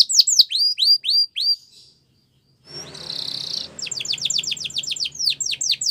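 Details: Spanish Timbrado canary song meant for teaching young canaries: series of falling whistled notes, a short pause, a buzzy trill with faint background hum, then fast repeated descending whistles.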